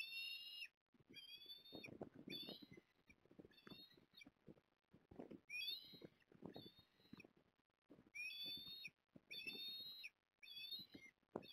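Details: Port Lincoln osprey, 14 September 2022, with the male arriving with a fish for the female: a run of shrill whistled chirps, some bending downward, repeated over and over, mixed with low rustling and thumping noises between the calls.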